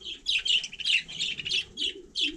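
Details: Budgerigar out on snow in frosty weather, giving a run of quick high chirps and scratchy warbled notes, about six bursts in two seconds, with a faint low background hum.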